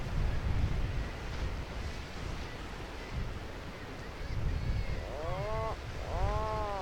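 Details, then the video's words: Atlantic puffin over cliffs in Newfoundland, Canada, gives two low, groaning, bent moaning calls near the end, after several seconds of heavy wind rumble and surf. "An Atlantic Puffin calls out over the cliffs"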